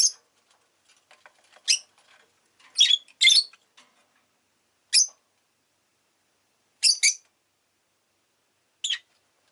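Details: Rosy-faced lovebird at home uttering short, piercing, high chirps in irregular bursts, some doubled in quick pairs, about eight calls across nine seconds over a quiet background.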